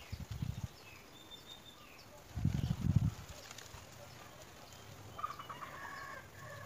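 Greater coucal giving two bursts of deep, pulsing low hoots, followed by faint higher chattering from another bird.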